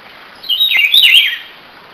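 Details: Buff-throated Saltator (trinca-ferro, Saltator similis) gives one brief, sweet warbled phrase of slurred, rising-and-falling notes lasting about a second, against a faint hiss; recorded in cold weather outside the breeding season.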